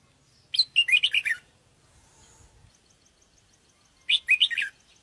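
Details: Sooty-headed bulbul lure sound for catching birds: two bubbly phrases of about six quick notes, separated by a few seconds with faint high ticking between.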